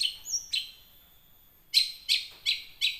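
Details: Young wild long-tailed shrike song used as a lure for caged shrikes: a high whistled note, a long thin steady tone, then four harsh buzzy chirps spaced evenly about every third of a second.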